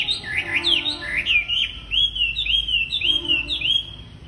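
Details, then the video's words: A busy wambi singer, played to coax untrained wambi birds: rapid warbled whistles swooping up and down in short repeated figures, with a faint low hum underneath. "Burung Wambi Gacor Cocok Buat Pancingan Wambi Bahan"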